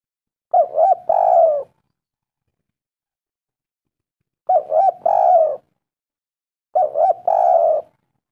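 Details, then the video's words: Spotted dove lure call played to make birds respond: three separate cooing phrases, each a quick double coo followed by a longer, drawn-out coo, spaced several seconds apart against a silent background. "Pancingan tekukur gacor sekali putar langsung nyaut suara merdu nyaring"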